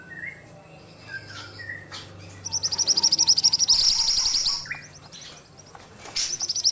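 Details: Ashy tailorbird singing actively, used as a training recording: faint whistled notes from other birds first, then a loud buzzy burst of rapid high pulses lasting about two seconds, a short final burst, over a steady low hum.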